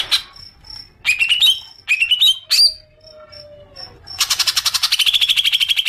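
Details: Green leafbird (cucak ijo) lure sound meant to trigger long chattering: sharp upswept whistled notes in quick groups, a faint low slurred tone, then a rapid harsh rattling chatter.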